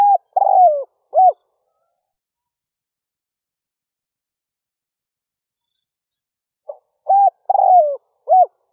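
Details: Decoy spotted dove cooing to lure wild doves: two phrases of short arched coos around a longer, throaty, falling note, separated by about five seconds of silence.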